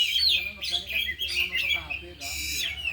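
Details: Caged oriental magpie-robins, one of four birds, during afternoon training, sing their varied repertoire: bright whistled and chattering phrases sweeping between high notes, with a steady low hum underneath.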